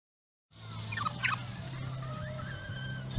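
A turkey gobbles in a fast, rattling burst of throaty notes, over a steady low hum.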